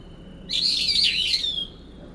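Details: Brown-eared bulbul call during a late-September territorial dispute in a cherry tree: one dense, shrill, warbling burst of about a second, ending in a thin trailing whistle.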